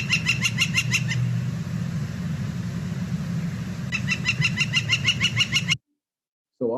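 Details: Northern Flicker near Boise, Idaho, giving its very loud, far-carrying call: two bursts of rapid, evenly spaced ringing notes, about seven per second, over a steady low traffic rumble; a voice briefly at the end.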